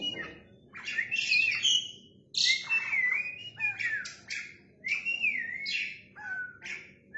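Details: Oriental magpie-robin in full song with its tail spread: loud, sweet whistled phrases that swoop up and down, mixed with scratchy bursts, given in groups separated by short pauses, with a faint low hum behind.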